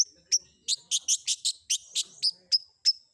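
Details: Long-tailed shrike fill-in song meant to provoke answers from other shrikes: a rapid string of harsh high notes, with several thin piercing whistles at the start and end.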